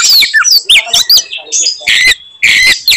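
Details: Fighting-mood Oriental magpie-robin song meant to provoke rival birds: quick slurred whistles and harsh chattering notes in short clustered bursts separated by brief gaps.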